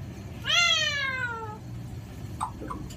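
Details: Alexandrine parakeet uttering a single drawn-out, harmonic call that starts high and glides steadily downward for about a second, followed by a couple of faint clicks against low background hum.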